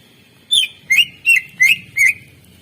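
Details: Five evenly spaced chirping notes from a greater green leafbird, alternating rising and falling slurs, in a master 'isian' recording for encouraging lazy birds to sing.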